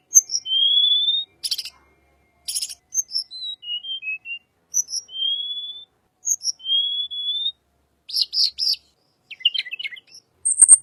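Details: Unique-sounding song of a little pied flycatcher, used to lure white-rumped shama: long thin rising whistles repeated several times, mixed with short high notes, faint clicks and a few rapid buzzy trills near the end.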